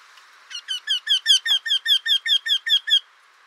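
A Eurasian wryneck gives a quick series of about thirteen nasal, ringing 'quee' notes, roughly five per second, steady in pitch and growing slightly louder.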